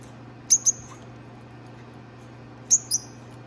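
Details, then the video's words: Pet peach-faced lovebirds, a new pair; paired high squeaky chirps repeated about every two seconds over a steady low electrical hum. "Peach-faced Lovebird Singing & Chirping Sounds"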